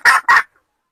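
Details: Two short, harsh, loud clucks from a red junglefowl hen in quick succession, followed by silence.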